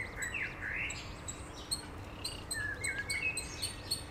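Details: Eurasian Coot family with seven chicks in Beverwijk, the Netherlands: thin, high, down-slurred piping whistles, a run of several early on and scattered sharp ones later, over steady low background rumble.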